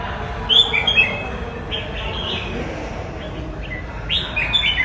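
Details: Red-whiskered bulbul song: two short bursts of clear, slurred whistles, bright and warbling, one near the start and another near the end, separated by quieter chirps over a steady low background hum.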